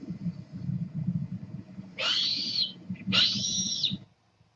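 Red-tailed Hawk giving two hoarse, rasping screams, each under a second and slurring downward, one after another; a low hum runs underneath.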